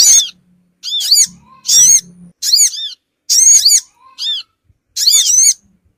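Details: Sogon bird lure call used to draw small wild birds together: bright, buzzy high notes with arched harmonics, given in short bursts about once a second with silent gaps between, and a faint low hum in places.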